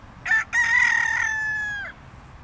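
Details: A single loud crow from a red junglefowl rooster: two short clipped opening notes, then a long sustained harsh note held steady for over a second, trailing down slightly at the end.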